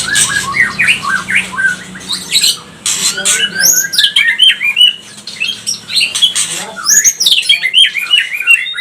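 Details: White-rumped shama of the pastol type, used to provoke other shamas into emotional song: a quick, varied stream of sharp upslurred and downslurred whistles and chattering notes, loud and high-pitched, with a faint low hum.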